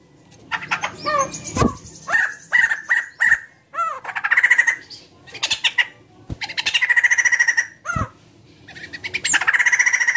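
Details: White-crested laughingthrush singing energetically to spur other birds into song: clipped whistles, sharp clicks and bent squawky notes, broken by several bursts of fast, pulsing, harsh chatter.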